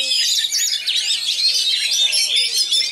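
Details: Oriental magpie-robin from West Pasaman, described as one of the area's best, with rich, fast, tightly packed material: a continuous torrent of high, varied whistles and trills with no breaks, and some low background murmur.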